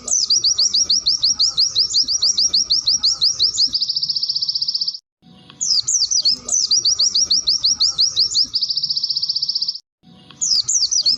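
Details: White-eye training song in the tembakan style with wit wit cerrrrr variations, for teaching caged birds. Rapid rising whistled notes run into a long, even buzzy trill. The phrase repeats three times, with short silent gaps between.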